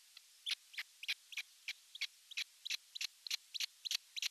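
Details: Osprey chick left alone in its nest in Satakunta, Western Finland, June 29, 2022; a steady series of high, sharp chirps, often doubled, roughly three per second against a quiet background.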